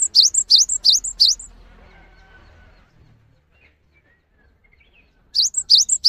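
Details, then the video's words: Lure song of a cinereous tit, meant to stir stressed or silent caged tits into calling back: four shrill, down-up chipping notes, a quiet gap of about three seconds, then four more. "MASTERAN GELATIK BATU GACOR UNTUK MEMANCING BUNYI GELATIK BATU MALAS BUNYI"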